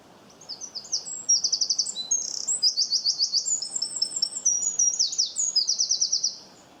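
A songbird chirps in a quick, high-pitched run of trills and twittering notes for about five seconds over a faint background hiss.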